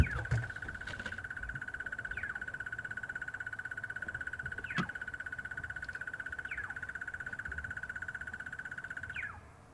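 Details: At Djuma Game Reserve, South Africa, on an afternoon safari drive on 23 September 2015, a crested barbet, crest blowing in the wind, gives a long, unbroken, buzzing trill on one steady mid pitch. Other birds add brief falling whistles over wind rumble and faint voices.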